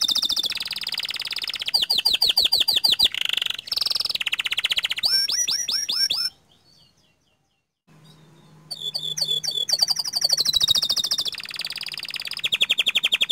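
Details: Panda canary in full rolling song with long shooting phrases: dense buzzy rolls and quick swept whistles, a brief silent pause midway, then more sustained high trills.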